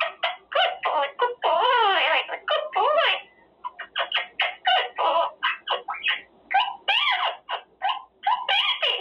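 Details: Caged male Quaker parrot practising words such as good boy, pretty boy, baby and thank you: continuous raspy mimicked speech with a long wavering drawn-out syllable near the start, then quick chattering bursts.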